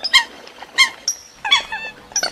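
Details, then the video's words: A Eurasian coot lure recording for trapping gives short, nasal, sharp notes about every two-thirds of a second, with a thin high whistle between them. "Tiếng Sâm Cầm"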